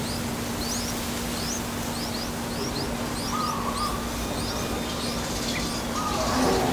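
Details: Newly hatched yellow-vented bulbul young, four days old, in a Thai nest during feeding: a fast, uneven series of high rising cheeps, about three per second, with a short lower warble near the middle and steady hum.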